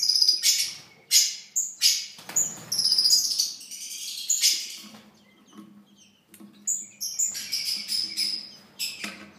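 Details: Young harlequin quail chicks (Coturnix delegorguei), newly hatched at the start of breeding season, give sharp, high, metallic notes in quick bursts, repeated about every half second to a second, with a faint low hum underneath.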